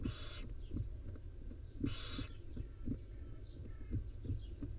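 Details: At a wild nest, a barn owl mother grooms her five young; two rasping hiss bursts stand out against low rumble, faint thumps and a few thin chirps.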